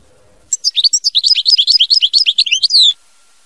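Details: Mama binette song from a European goldfinch: after half a second of near silence, a lively, tinkling chain of sharp, high, twisting notes runs for over two seconds and ends in a drawn, buzzy slur.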